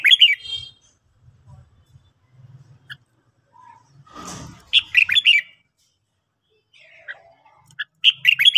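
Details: Red-whiskered bulbul morning song: short chirpy whistled phrases at the start, middle and end, separated by low rumbles and a brief rustling burst, perhaps wing flutter.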